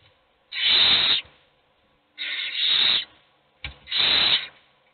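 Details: Owl chicks in a nest box, hungry while a single one eats, give three long harsh hissing screeches of nearly a second each, separated by about a second of quiet.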